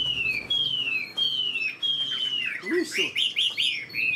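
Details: Caged Chinese hwamei with a spread tail, kept as a fighting bird that shows an eagle-wing display. It sings three long, clear whistles that slide downward, then another sustained whistle, followed by a rapid run of varied slurred notes and short rising phrases.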